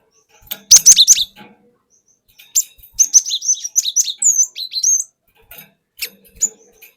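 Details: Forest-caught cinereous tit singing a long rolling 'ngerol panjang' lure song: a loud opening burst, then a run of rapid repeated high whistled notes, ending with a few scattered chips.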